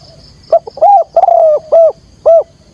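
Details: Spotted dove calling thúc gù with a field-type voice as a lure for trapping wild doves; a rapid string of loud, harsh coos, some short and clipped, two stretched and slightly falling.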